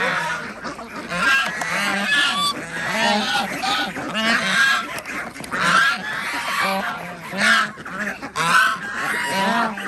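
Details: Ducks at feeding time on a village duck farm in Andhra Pradesh, fed twice a day along with chickens and geese; a thick chorus of repeated nasal honks, roughly one a second, runs throughout.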